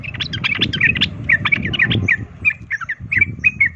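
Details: Provoking 'ropel tarung' song of a sooty-headed bulbul: fast, tumbling chatter that slows into spaced chirps, over a constant low rumble of background noise.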